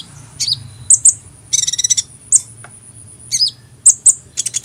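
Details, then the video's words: Sunbird song: sharp, very high chirps and squeaky notes in separate bursts, including a quick rattling run of clicks in the middle, with steady quiet low hum underneath. "Kicauan Burung Kolibri"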